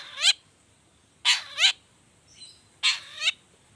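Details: Long-tailed shrike 'toet toet' variation pancingan lure: three bouts of harsh, nasal, almost mewing notes, two of them doubled, with faint hiss between.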